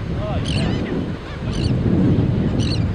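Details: Three separate bursts of doubled nasal barks from Black skimmer chicks in the colony, about a second apart, over loud low wind rumble.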